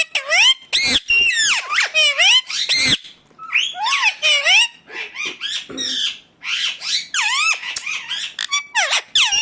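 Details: {'caption': 'Loud, grating squawks from an Indian ringneck parakeet, many bending downward in pitch, delivered in rapid volleys for about nine seconds with only a short lull midway.'}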